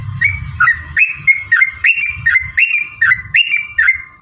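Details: Sooty-headed bulbul singing to stir other bulbuls into song: rhythmic two-part whistled phrases, dipping then rising, about twice a second, with a low rumble underneath.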